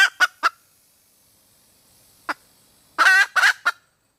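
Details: A female red junglefowl calls to draw a mate: short sharp clucks, a pause, then a loud raspy drawn cackle with two further clipped notes.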